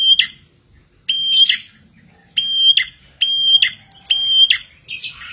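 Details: Prenjak, the bar-winged prinia, singing to lure birds: ringing flat whistles each ending in a scratchy falling twist, five phrases at uneven gaps, the last one harsher and noisier.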